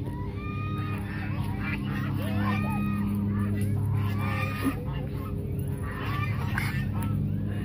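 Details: A flock of hungry geese crowding people at Mueller Lake park in Austin, Texas, honks continuously in overlapping nasal calls, with low droning and a person's voice in the background.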